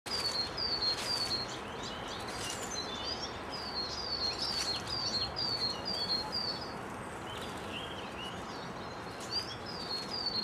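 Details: Lesser redpoll at garden feeders in West Wellow, Hampshire, with at least two birds visiting: thin, high, downslurred chips in quick runs, pausing and starting again over steady background hiss.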